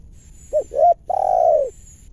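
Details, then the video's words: Wild spotted dove with a big voice, drawn in by luring where such doves live, gives a soft, low coo: two short hoots, then one long, drawn-out note slowly falling away. "TEKUKUR LIAR SAURA BESAR"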